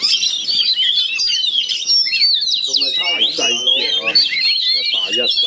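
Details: Caged Oriental magpie-robins in connected cages, aggressive birds set to fight each other, trade a continuous, overlapping jumble of bright whistles, slurred rising notes and harsh chattering bursts, with a faint human voice underneath.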